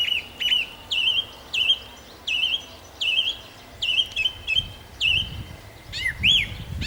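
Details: Nightingale singing in Nosivka, Ukraine, on 1 June 2014: rich, repeated phrases about every 0.8 seconds, each a sharp clicking note followed by a bright, slurred whistle, ending in looping rising-falling whistles; faint low rumble beneath.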